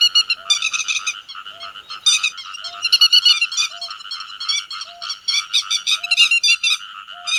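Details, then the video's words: Flock-gathering calls of grey-headed lapwing, used as a netting lure day and night: rapid overlapping harsh, buzzy notes in repeated bursts, with a faint low beep recurring roughly every second. "Tiếng Chim Te Vàng Gọi Bầy"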